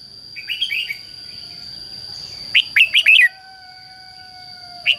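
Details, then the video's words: Soft twittering from a red-whiskered bulbul, then a loud run of four ringing, slurred notes and a single closing chirp; competitive song played to call wild birds and excite a decoy bird, with a steady high tone throughout. "CHÀO MÀO HÓT GỌI BỔI CHÉ CĂNG ĐÉT QUÁ HAY - KÍCH CHIM NHANH CĂNG LỬA"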